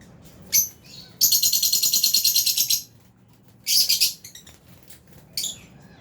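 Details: Albino and Fisher's lovebirds in an aviary flock, around meal time: shrill, harsh high chirps, then a long buzzy pulsed chatter lasting over a second, followed by another burst of squeaky chirps and one short final note.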